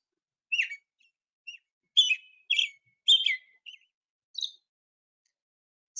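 An American Robin sings short, clear whistled phrases, rising and falling, given back to back with brief pauses, about one a second.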